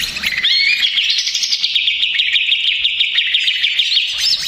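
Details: Lure recording of an agitated male greater green leafbird: short rising whistles lead into a long, dense, rapid chatter of high notes lasting about four seconds, ending in a brief upward slur.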